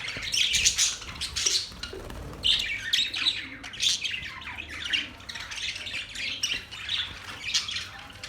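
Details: Budgies give loud, clustered bursts of shrill chirps and squawks, strongest in the first two seconds, then continue with softer, more spaced twittering.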